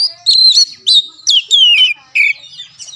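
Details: Oriental magpie-robin, song used as a lure for a caged bird: five short, loud whistled phrases, each bending downward, spaced a fraction of a second apart.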